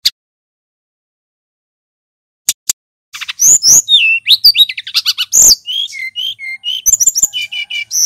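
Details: Male brown-chested jungle flycatcher from Bali in loud, clear, long singing; after near silence with two clicks, a dense stream of high chirps, down-slurred whistles and short trills runs without pause.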